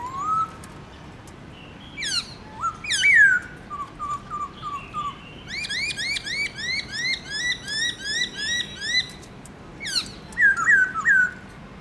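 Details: Black-throated laughingthrush, a kept songbird, in a morning 'forest voice' song with many varied notes. Clear whistles and sharp upslurs lead into a run of about nine quick rising whistled notes, then a few bright slurred phrases.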